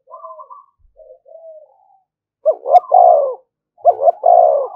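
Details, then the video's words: A spotted dove decoy bird cooing to goad rivals into fighting. Soft, wavering low notes open the clip, then two loud phrases follow, each a quick double stutter then a drawn-out, husky croo. "Tiếng chim cu gáy mồi thúc đấu rút bổi liên tục, chim cu đất thúc đấu"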